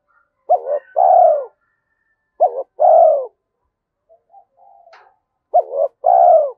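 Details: Cooing spotted dove of the 'giọng thổ' voice type, called fit for forest trapping; repeated phrases of a quick stammered note and a longer descending coo, with faint soft sounds between phrases.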